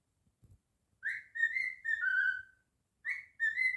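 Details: Male pet cockatiel singing and whistling indoors: one long phrase of clear whistled notes that steps down in pitch over about a second and a half, then a fresh phrase begins with the same rising upslur.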